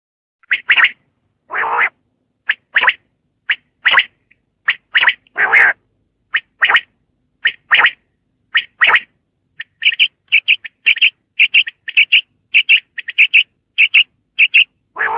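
A common quail gives sharp, liquid notes in quick three-beat phrases, repeated again and again.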